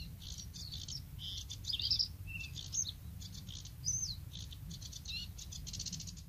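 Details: Bluethroat (Luscinia svecica) song recorded at Woumen in 2018: a fast, varied, high-pitched song of buzzy bursts, clear whistles and ringing notes, ending in a quick repeated rattle over a low background rumble.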